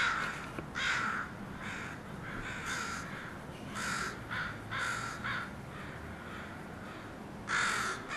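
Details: Harsh cawing from a crow group settled around a house, calls scattered and uneven, some loud and near, others fainter, with a final loud caw near the end.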